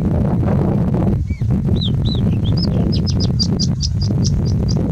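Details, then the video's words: Singing bush lark singing in heavy wind in India; roaring low wind, then a descending whistle, a few arched notes, and a fast run of short high chirps repeated several times a second. "Singing Bushlark singing in the wind"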